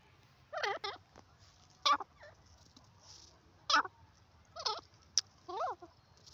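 A francolin gives loud, harsh, quavering notes in short bursts, repeated irregularly about every second, over a quiet background.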